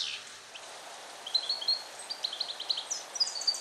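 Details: European goldfinch male, bred in captivity in 2021 and taught Neapolitan passata song, recorded alone in a small transport cage. Soft high notes build into a series of clear, evenly spaced tinkling chips over faint background hiss.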